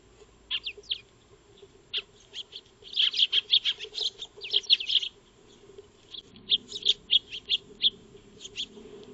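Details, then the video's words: Eurasian tree sparrows, called maya birds, feeding in a backyard, recorded with a solar wildlife camera; a few early chirps build to fast chattering runs in the middle and again later, over a low steady hum. "Eurasian Tree Sparrow (Maya Birds) Feeding"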